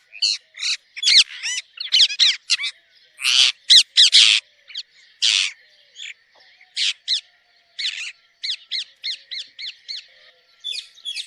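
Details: Pet talking parrot chirping in natural sounds: a long, busy series of sharp, high chirps and harsher squawks, delivered in quick bursts with brief gaps and no other sounds.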